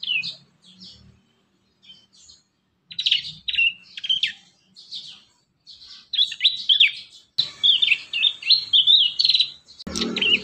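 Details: Young prinia song used as a lure for training, with bursts of sharp, high chirps and short twittering phrases, some sliding up and down. Repeated in quick clusters with brief pauses between them, and a low rumble near the end.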